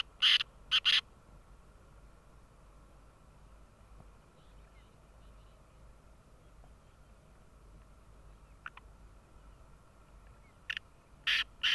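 A black francolin gives two bursts of loud, harsh, grating notes in threes, one at the start and one at the end, with a quiet pause between.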